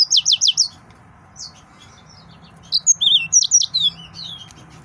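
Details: Song of an agitated male yellow-fronted canary: a fast run of repeated high sweet notes, a short gap, then a varied phrase of whistles and slurred chirps over a faint background hum.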